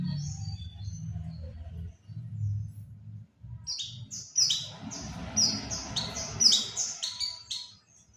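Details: Oriental white-eye lure call for attracting birds: low rumbling noise first with faint high notes, then a dense burst of sharp high twittering chirps in the second half.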